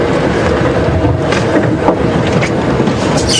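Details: Loud engine and wind rumble from a moving vehicle, without any clear animal call.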